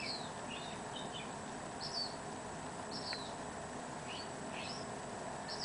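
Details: Black phoebe singing: thin, high downslurred notes repeat about every one to two seconds. Lower, softer chirps come in between, over a steady hiss of background noise.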